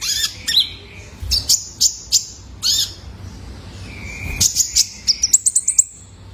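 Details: Young male kolibri ninja (Purple-throated Sunbird) whose calls serve to coax caged birds into song: scattered high squeaky chirps, a brief lower whistle near the middle, and a closing burst of rapid sharp tweets.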